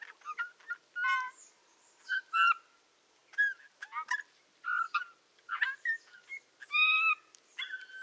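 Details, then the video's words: Eurasian bullfinch (Pyrrhula pyrrhula) song, Tula Zaseki forest, Tula Oblast, Russia, 18 March 2015: a soft, halting string of creaky, fluty whistles and short piping notes, spaced irregularly against a quiet background. "Песня обыкновенного снегиря Pyrrhula pyrrhula / Eurasian bullfinch song"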